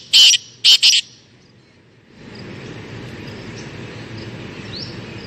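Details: Black francolin calling in a forest: three loud, harsh, grating notes in quick succession within the first second, the last two close together, followed by quiet ambient forest background with faint distant chirps.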